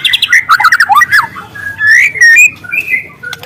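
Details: Loud wild juvenile white-rumped shama: a jumble of quick warbled notes opening into long clear whistles that rise and hold, part of its canary-style singing.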